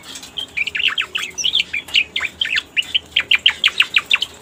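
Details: Striated grassbird lure song used to attract the species: sharp chirps, then a steady run of clear, downward-sweeping whistled notes repeated several times a second.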